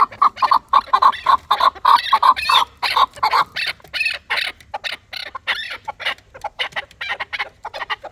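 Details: Fighting chukar partridge giving a rapid series of clipped, tonal chuk notes at first, then rougher broken clucks, about three notes per second.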